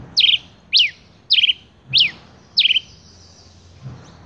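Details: Five crisp up-and-down whistled notes from a male Rufous-collared sparrow, alternating plain slurs with trill-tipped ones at a steady pace, then a pause with faint distant chirping and low hum.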